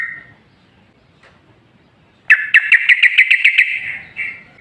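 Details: A yellow-vented bulbul pours out a rapid run of about nine liquid, gurgling notes after a quiet start, closing with a softer trailing phrase. Played as a lure to prompt other bulbuls to answer.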